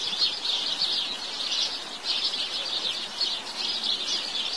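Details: House sparrow chatter: quick, repeated high chirps packed closely together, swelling in small pulses over a quiet background.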